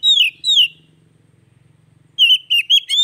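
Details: Oriental magpie-robin whistles, played to prompt a silent bird into song: two descending whistled notes, a low steady buzzing hum in the gap, then a quick series of slurred whistles and chips.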